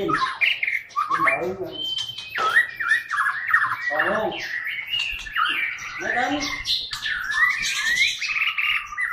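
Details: White-rumped shama of the Medan type delivering a thunderous crecetan-style song: varied rich whistles and slurred phrases, broken by harsh, buzzy, harmonic-laden bursts near the second, fourth and sixth seconds, with a faint low hum beneath.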